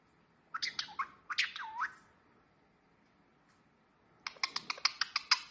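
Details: A baby pallid/ino green Indian ringneck (rose-ringed parakeet) gives a couple of short, scratchy, speech-like phrases ("What you doing?") with rising and falling pitch, then a quick run of sharp clicking chirps, showing how much it has learned to talk.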